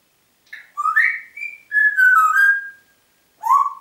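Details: Congo grey parrot in Diebach near Hammelburg, 4 April 2012, giving a run of clear, tonal whistles, sliding up and down in pitch, with a final rising whistle after a short pause.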